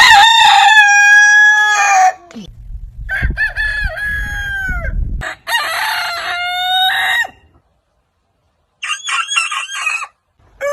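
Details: Roosters from a compilation of heritage chicken breeds crowing in quick succession: a long harmonic crow falling at the end, then choppy crows with a low rumble underneath, a brief silence, and a final broken crow.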